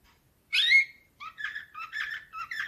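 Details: Canary of the Slavujar nightingale song style, 2024: a loud, sweeping whistled note, then a quick sequence of soft, buzzy warbled chirps.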